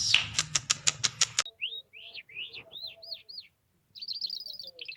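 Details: A trained, hand-tame lark singing: a quick burst of sharp clicks gives way to a string of clear, arched whistled notes, a short pause, then a fast buzzy trill.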